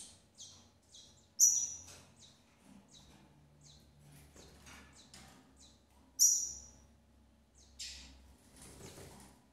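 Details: Double-collared seedeater female tending her chicks in a breeding facility: a run of short, very high chirps, with two louder piercing whistled notes that each fade and drop slightly, among faint rustling.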